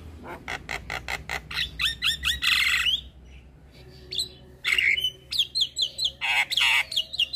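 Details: Javan myna (jalak kebo) delivering fast rasping chatter that swells into a loud harsh burst, then after a short gap resumes with rapid repeated downslurred squawks and whistles.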